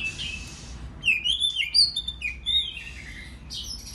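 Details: White-rumped shama song meant to provoke other birds into singing: high, thin whistled phrases and short descending slurs separated by brief pauses, with some hiss in the background.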